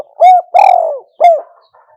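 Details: Spotted dove giving a wild-style kuk-hoi call, recorded in 2021: three loud, hollow coos, a short one, a longer drawn-out note that slides down, then another short coo after a pause.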